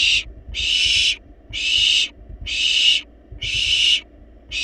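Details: Barn owl nestlings, wild birds in a research nest box, playfully demanding food though overfed: steady series of broad, harsh hissing snore calls, each near half a second, spaced about a second apart, soft knocks underneath.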